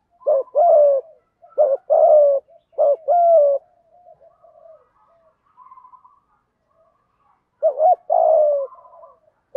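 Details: Cooing of male and female spotted doves, thúc gù style for luring wild birds: three quick pairs of low coos, each a clipped note plus a drawn-out falling one, then faint soft calls before another pair.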